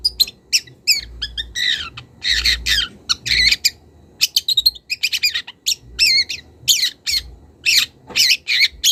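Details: Young wild long-tailed shrike addressing a rival and starting to reveal imitated notes: fast, varied phrases of thin whistles, downslurred chirps and grating bursts running almost without pause.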